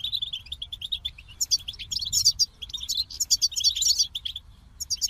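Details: Goldfinch song: a rapid, continuous high twitter of short tinkling notes, with bright buzzy bursts rising over a steady chattering base and brief pauses between phrases.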